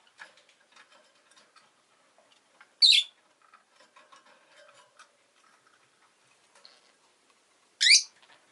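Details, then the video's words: Pet rosy-faced lovebird giving two loud sharp squawking chirps about five seconds apart, over soft ticking and scratching sounds like a bird moving about. "Lovebird Chirping Sounds"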